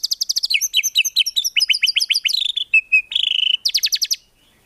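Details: White-rumped shama in full rich song with rapid bursts and no clucking, used to train songbirds: quick varied chattering phrases, short steady whistles and fast trills running without a break, ending in silence.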